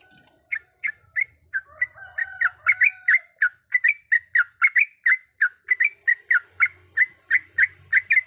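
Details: Female yellow-vented bulbul calls the male with a long run of sharp, clipped chirps that speed up, accompanied briefly by faint drawn-out whistles, with a soft low hum at times.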